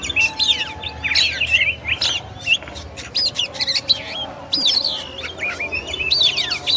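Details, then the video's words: Oriental magpie-robin, known as kacer, in full song with rapid clusters of whistles, sharp clicks and sweeping notes, bursts repeated every second or so over a faint low hum. "SUARA BURUNG KACER, MASTERAN PARA JUARA"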